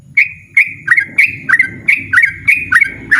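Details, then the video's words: A yellow-vented bulbul sings loudly and persistently in ropel style, giving about nine sharp, sweet, upturned notes at a quick, slightly uneven pace over a steady low rumble. "burung trucukan ropel ngotot suara lantang"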